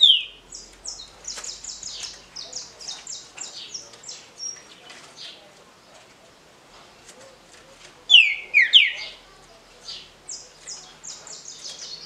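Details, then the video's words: Green-winged saltator in the short smooth Paraná song style, sung for competition circles: one loud burst of falling whistled notes near the end, after a long run of thin, rapid chips from other birds. "TRINCA FERRO DE CANTO CURTO LISO PARANÁ (CANTO PRA RODA)"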